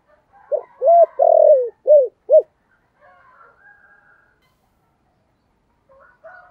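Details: Spotted dove of 'giọng thổ sấm' voice giving one 'thúc gù' phrase: five low, rounded coos with a long drawn third note, then near silence.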